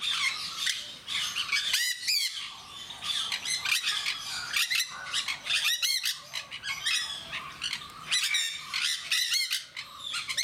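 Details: A noisy group of captive jenday parakeets at Mysore Zoo, loud shrill screeches and squawks repeating irregularly throughout, some in pairs, with overlapping chatter from other birds of the flock.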